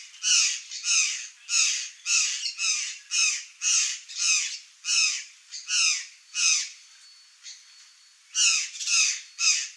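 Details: A wild curl-crested jay (Cyanocorax cristatellus) in Brazil gives harsh, raspy squawks in a steady series, about two each second, with a brief pause near the end.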